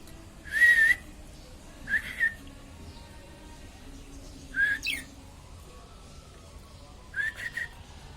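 A budgerigar gives four short, warbling chirps spaced a couple of seconds apart over a low hum.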